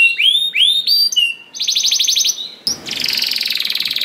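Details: Canary song used to coax other canaries into singing: a few rising whistled notes, a short fast trill, then a long rapid buzzing roll to the end.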